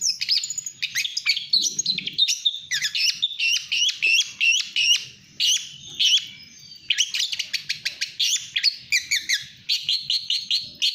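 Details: Extended rapid song of a long-tailed shrike (cendet/pentet) in speed rapet style: varied high chatter, short whistles and staccato clicking bursts strung together over many seconds.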